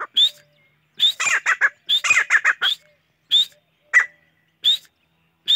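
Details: Chachalaca giving upward-sliding whistled notes mixed with bursts of rapid, harsh, chattering squawks, repeated through the sequence over a quiet background.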